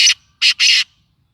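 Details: Black francolin, the kala tetar, giving a harsh, grating call of three loud rasping bursts: one short note, a pause, then two longer notes close together, with a quiet background.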